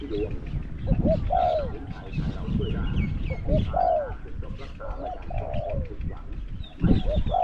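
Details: Decoy spotted dove answering wild birds, voice small to medium; short rising coos followed by falling notes, repeated roughly every two seconds over steady low noise.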